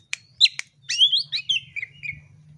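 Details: Oriental magpie-robin song used to provoke fighting: two sharp clicks, then a fast loud warbled run of high whistled notes descending in pitch and fading, with faint low hum.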